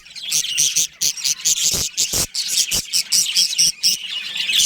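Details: Budgerigar colony including a breeding pair: bursts of bright, high chirping that start and stop in quick pulses about every quarter second, broken by a few loud clicks or knocks.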